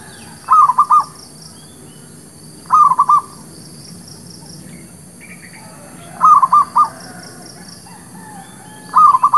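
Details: Repeated zebra dove lure song for trapping birds: four short phrases of three or four rapid, rolling cooing notes, spaced about two to three seconds apart, with faint high ticking.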